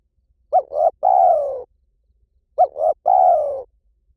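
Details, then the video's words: Hliw Tan-style spotted dove song, played to coax a trainee dove into answering. Two phrases about two seconds apart. Each has two quick rising notes and then a drawn-out, slightly falling coo. The background is silent. "สำหรับเปิดล่อนกเขาใหญ่ฝึกต่อ ให้ขันโต้ตามเสียงนกเขาใหญ่หลิ่วตัน"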